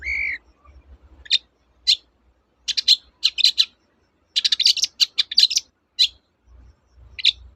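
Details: Long-tailed shrike (cendet), used as a prompt to get silent shrikes singing again, giving one whistled note followed by scattered harsh, scratchy chatter notes in short clusters with pauses between.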